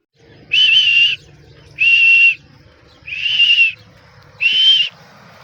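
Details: Grey francolin, known locally as teetar, giving loud, steady, high whistled notes. Four drawn-out calls of about half a second each, spaced roughly a second apart, over a faint low background hum.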